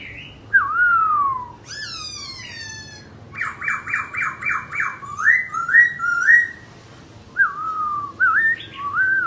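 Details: Laughingthrush singing while dancing: a loud, clear downslurred whistle, then a rapid series of rising notes, a run of about six pulsed buzzy phrases, and further slurred whistles ending in rising notes.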